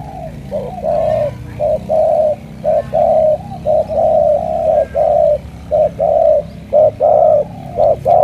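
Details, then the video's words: Spotted dove of Cà Mau, cooing in the thổ cọp style with a big pigeon-like tone: a brisk series of about twelve low coos, short and long notes alternating steadily over background hum. "Thổ cọp âm khủng hình như bồ câu"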